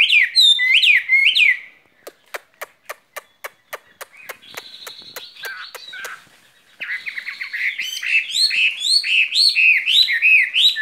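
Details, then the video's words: Caged skylark in spring song: a burst of fast high warbling, then a run of about fourteen evenly spaced sharp clicks, a buzzy trilled passage, and a return to dense, lively, varied chirps. "Chim quý ở lồng son ca bản tình ca mùa xuân"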